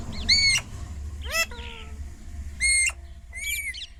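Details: Pet Indian ringneck parrot uttering short screechy calls with arched whistled tones, separated by pauses, against a constant low background rumble.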